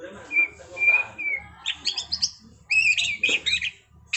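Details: White-rumped shama (Copsychus malabaricus) in 'trontolan ngerol' rolling song style: a few steady whistled notes, then dense bursts of high chattering, trilled phrases in two rapid runs.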